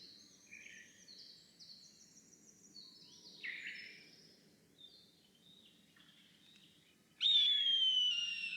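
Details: Eastern buzzard calling on a Shinetsu highland in early May morning: after soft twittering of small birds, one loud, drawn-out whistled mew suddenly bursts in, sliding gently downward for over a second.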